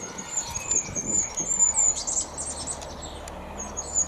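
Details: A Goldcrest in a garden sings rather than calls: very high, thin, rapid notes in a faint, shimmering stream over distant traffic rumble. This was its first proper appearance in the garden, and it was seen feeding on the ground.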